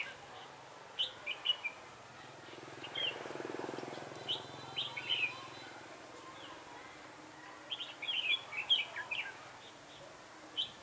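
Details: A lure red-whiskered bulbul sings at a trapping site on 3 November 2017. Scattered, bright, warbling phrases come in irregular clusters, densest near the end, with a soft rushing noise midway.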